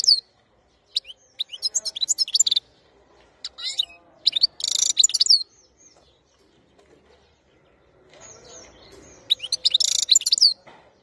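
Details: Wild European goldfinch (khalawi) song from 2021, given in dense bursts of bright, tinkling, high twitters and buzzy trills lasting one to two seconds, separated by short silences, with faint low rustling in the gaps.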